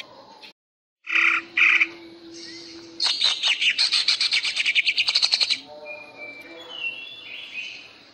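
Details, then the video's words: Greater green leafbird singing in ngentrok style, a bird being trained for song contests: two short bright bursts, then a rapid stuttering train of sharp high notes for about three seconds, softer warbled phrases after, with a steady low hum throughout. "Cucak hijau gacor ngentrok"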